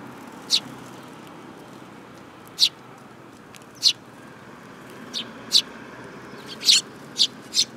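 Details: Sparrows visiting a Tenmangu shrine to be fed on 8 July 2022 chirp irregularly: scattered sharp notes with long gaps, then a denser burst of four near the end.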